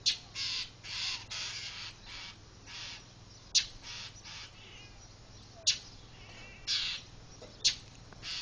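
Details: Birds mobbing a pet cat outside a house, calling and diving at it; harsh, hoarse squawking calls in bursts, several close together, then spaced about a second or more apart.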